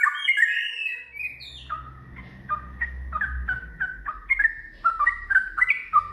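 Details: Sooty-headed bulbul (trucukan) singing actively, in the ngiwir style leading into a long ropel: a falling whistled slur, then a steady string of short bubbly two-pitch notes about every third of a second, over a low background hum.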